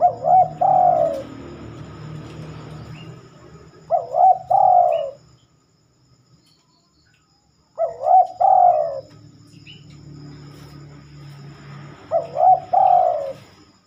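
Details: Spotted dove cooing at night, rarely heard then. Four short, wavering double-coo phrases come in pairs separated by a few seconds of quiet, over a low rumbling background hum.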